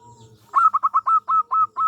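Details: Local Indonesian zebra dove, an actively singing bird with a small voice, used as a lure to make other doves answer: a quick run of about eight short, even, mid-pitched cooing pulses, each clipped and evenly spaced, after a quiet low hum.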